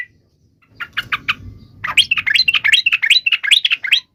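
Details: Yellow-vented bulbul (trucuk) in spirited song played to make fellow trucuk birds sing: three quick chirps, then a fast bubbling run of liquid, up-and-down warbled notes over faint low background noise.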